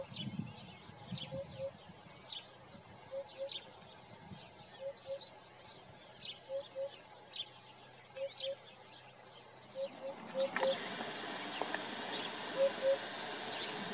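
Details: Morning song of a Eurasian hoopoe, captured on a Nikon Coolpix P1000: low, hollow hoots in pairs and triplets, repeated every second or so, with sharp high chirps from other birds; a loud hiss fills the final seconds.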